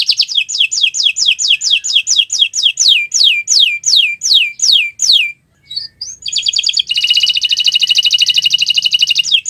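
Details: Friday-morning gacoran singing from a canary: a string of high, descending whistled sweeps repeated about twice a second, a short pause with brief chips, then a rapid, dense, buzzing trill.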